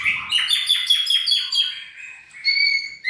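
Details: A shama trained for stamina delivers a rapid series of about eight descending slurred notes, then a clear sustained whistle ending in a short upward note.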